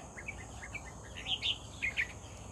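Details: Red-whiskered bulbul, caught singing vigorously while being lured with a decoy, gives quick chirpy whistles that build into louder, rolling slurred notes, against a constant high-pitched insect drone.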